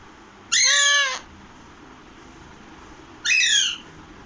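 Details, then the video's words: Alexandrine parakeet, called Pahadi parrot, giving one long arched grating squawk, then after a two-second pause a shorter downward-sliding screech. "Pahadi parrot original voice"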